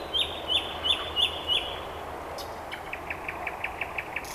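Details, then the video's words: Common nightingale singing on a late-May evening in Vyazniki, Russia, among other birds: five loud, clear notes about a third of a second apart, then a softer, quicker run of repeated notes; a Pekingese dog is heard in the background. "Nightingale Singing"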